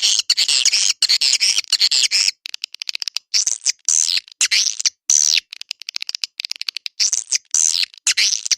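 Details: Edible-nest swiftlet lure call used for swiftlet houses: dense high chirping and twittering bursts, a long buzzy stretch first, then rapid clicks and repeated short squawky chirps, all bright and high with no other sounds.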